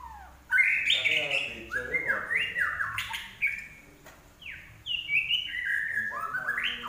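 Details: Common iora (larwo) in energetic song: bright whistled phrases that slide up and down, short buzzy chatter, and clear descending notes separated by brief pauses.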